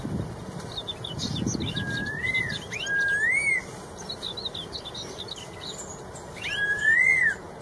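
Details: Red-tailed straw-headed bulbul singing in the wild: clear, smooth whistles sweeping up then down, repeated in phrases a few seconds apart, mixed with thin high chirps and a steady insect-like hum behind.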